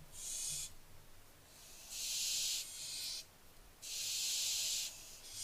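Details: Barn owlets, 15 July 2024: three long wheezy hisses. A short one is followed by two sustained bursts of about a second each, with quiet gaps between them.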